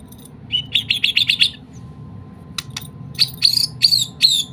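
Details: White-rumped shama of the Medan type, singing material that imitates the kapas tembak bird: a quick run of about seven sharp, high chirps, then a pause with a few clicks, then bright, ringing notes repeated over a low steady hum.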